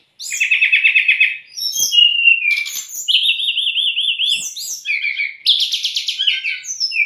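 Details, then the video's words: White-rumped shama singing in a tutor and lure recording for young or stressed birds: buzzy trilled phrases, then a long wavering whistle and rapid rattling notes, delivered loudly with little pause. "MASTERAN DAN PANCINGAN SRDC"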